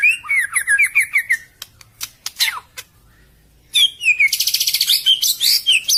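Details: Lure song of a white-rumped shama: a fast series of repeated downslurred whistles, sharp clicks and a sweeping note, a silence, then a dense burst of high rapid trills and chirps.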